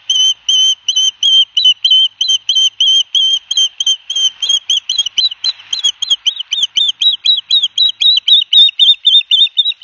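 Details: Two young ospreys at their nest at Barnegat Light, New Jersey, on 9 September 2021, while the father brings each a big fish. A rapid series of short, high whistled chirps runs about four per second, later turning slightly downslurred.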